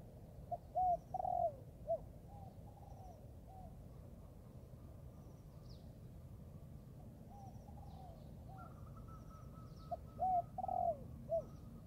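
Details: Spotted dove, a young bird training in the forest, giving low soft coos in short clustered bursts near the start and again near the end, with long quiet gaps between, over a steady low rumbling background and faint high ticks.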